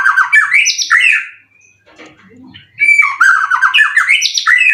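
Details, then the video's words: Contest white-rumped shama, caged in Indonesia and said to carry full cililin material, delivers loud rapid warbling strings of chirps and slurred whistles, pauses for about a second and a half amid faint background noise, then repeats a similar rich phrase. "Burung Murai prestasian udh kondisi 90% materi full clilin siap turun Lg!"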